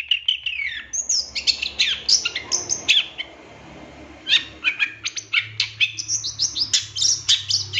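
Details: Long-tailed shrike training song packed with filler phrases for captive birds: high twittering and sharp whistled notes in quick succession, with a brief quieter gap and low background hum.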